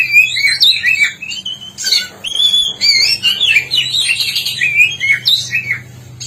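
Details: Black-breasted oriental magpie-robin from East Java singing energetically: a dense, rapid stream of varied whistles, slurred notes and harsh chatters, constantly changing pitch with barely a pause, over a low steady hum.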